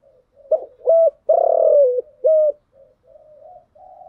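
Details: Spotted dove lure cooing to attract wild doves. A complete low phrase: two short coos, a long throaty rolling coo falling at the end, and a final coo, followed by quieter murmured hums.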